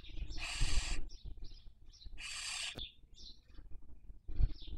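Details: Barn owls raising young at a webcam nest in Cabañeros National Park, Spain, 2023 breeding season. Two loud rasping screeches, each about half a second long, with brief high twittering notes and low rumbling background.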